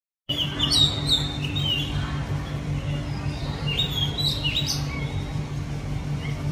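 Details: Oriental magpie-robin in a capital city, giving short whistled notes that rise and fall, one burst near the start and a denser cluster of sweeping whistles later, over a constant low mechanical hum of urban noise.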